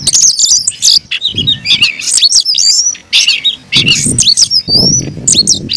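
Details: Kept Oriental magpie-robin (kacer) delivering fierce, persistent song: crowded high whistles and scratchy chatter, with brief low rumbling noise in places.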